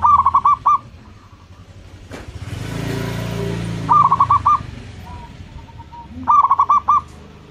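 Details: A local zebra dove, kept as a lure to set other doves calling, delivers three bubbly phrases of rapid rolling coos. A passing vehicle roars loudly between the first and second phrases, and faint single coos sound between phrases.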